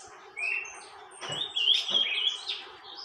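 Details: Saffron finch called Tormento singing without pause: a faint high note, then a rising jumbled run of sharp, bright chirps and trills, louder through the middle, with a soft low hum in the background.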